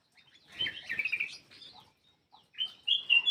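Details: A black-crested bulbul sings to coax silent birds into song. It gives a warbled whistled phrase, then a pause, then sharp rising whistles that grow louder at the end.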